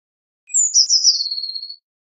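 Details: Blue tit song in one phrase: thin high introductory notes descending into a quick, level, silvery trill of repeated notes, clean and free of other sounds.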